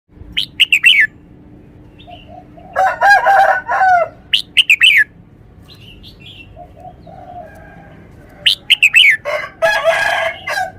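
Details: Red-whiskered bulbul showing off its song phrasing, clear and emphasised note by note: short bright whistled phrases falling from high to mid pitch, repeated in bursts, alternating with fuller, buzzier, lower warbled phrases and quiet pauses.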